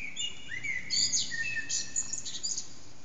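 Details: Eurasian blackbird, unseen, sings early morning around 4:30am: thin drawn-out whistles and high squeaky twitters in quick succession, loud from an echoing backyard, over a low rumble.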